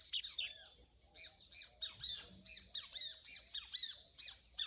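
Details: Double-collared seedeater singing in the 'canto do rio' style: a long, busy run of rapid chirps and sharp slurred notes repeated at a quick, fairly even pace, with faint low background noise.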